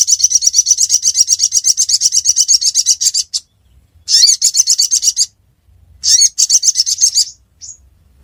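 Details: Ruby-cheeked sunbird from Reului, Pidie, Aceh, Indonesia, delivers a long, fast, high-pitched trill of ticking notes for three seconds, then two shorter sharp trilled bursts.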